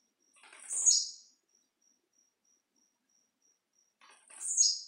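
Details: Blue-black grassquit (tiziu) singing in the 'de pulo' leaping style: two short, sharp, buzzy notes sliding downward, about four seconds apart, over a steady, fast ticking of an insect.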